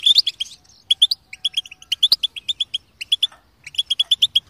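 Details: Canary singing a lively song of short, bright chirped notes in quick bursts, with brief pauses between phrases and some notes repeated several times in a row.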